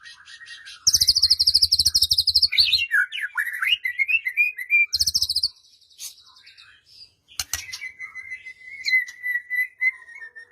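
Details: White-rumped shama song for goading a silent bird into singing, morning or evening: loud fast high trills, a tumbling run of varied chirps, another trill burst, then steady clear sustained whistles with low clicks.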